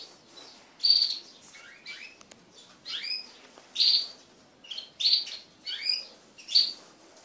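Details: Crested canaries kept as pet birds during group mating. Loud, sharp, high chirps and short twittering notes come in bursts roughly every second, with brief quiet gaps between them.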